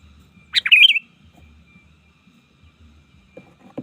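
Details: Sooty-headed bulbul song used as a lure to call rivals in the wild: one short, bright, bubbling phrase of quick warbled notes, then quiet with faint low rustling and soft clicks.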